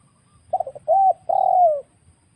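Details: Single wild spotted dove phrase from a trapping lure recording: a few rapid soft notes, a clear steady coo, then a prolonged coo that drops in pitch at its close.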